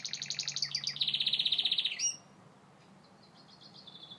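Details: Loud rapid rolled trill from a Gloster canary for two seconds, dropping to faint distant-sounding notes afterwards, with low background hum.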